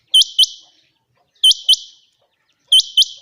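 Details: A Chinga quail calls in sunny, clear weather, giving sharp, high, upslurred double notes, the pair repeated about every one and a half seconds, each with a brief ringing echo.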